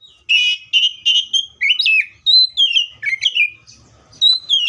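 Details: Seychelles magpie-robin in full song, a dense, varied run of rich whistled and warbled notes, some rising sharply and others falling, delivered almost without pause.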